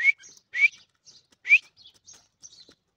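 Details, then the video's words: Irani teetar (Iranian partridge) calling: three sharp upward-sweeping notes roughly half a second to a second apart, each followed by soft high twittering fragments. "irani teetar ke awaz"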